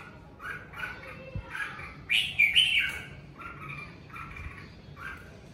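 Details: Home-kept red-whiskered bulbul, covid season, natural 'ché' singing: series of quick whistled chirps, a louder tumbling liquid phrase in the middle, then evenly spaced short notes; light background noise.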